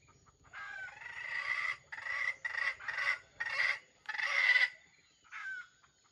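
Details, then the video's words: Wild red junglefowl kept as a trap's bait bird, crowing in a stuttering, grinding voice: six or seven harsh, buzzy bursts broken by short gaps, then a brief final note. "The bait of the wild chicken trap crows with a stuttering voice that sounds like grinding"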